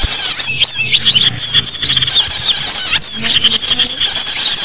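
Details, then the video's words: A bird lure recording for small birds: crowded, high-pitched twittering with sharp rising and falling chirps layered over one another throughout. "SUARA BURUNG UNTUK PIKAT BURUNG KECIL"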